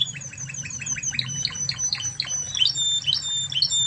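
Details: Spanish Timbrado canary of Spanish origin, a tutor recording for other canaries: a dense, fast series of high chirped notes with overlapping thin whistles and shifting syllables, steady low hum in the background.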